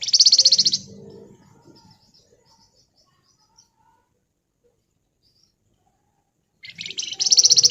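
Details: Pied fantail (flamboyan), a lively bird giving ngebren song: a fast, buzzy, evenly pulsed chattering run, a long near-silent pause with faint chips, then another dense rapid burst.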